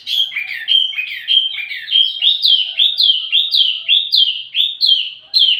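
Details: ['Wambi mini bird singing, used as lure and tutor audio for tledekan birds: a rapid run of repeated high, down-slurred chirpy notes, about two per second, steady and bright throughout.']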